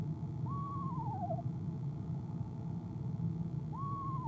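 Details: Female eastern screech owl in a nest box, 25 January 2015 evening, shortly before leaving at 6:10pm CST: one full wavering descending trill, then the start of another about three seconds later, over a low steady hum.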